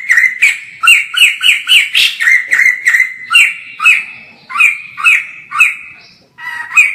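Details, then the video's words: Poksay jambul, the white-crested laughingthrush, in an energetic song taped from far away: a quick run of bright whistled notes that slows into spaced, falling doubled notes with short pauses between them. "POKSAY JAMBUL GACOR FULL"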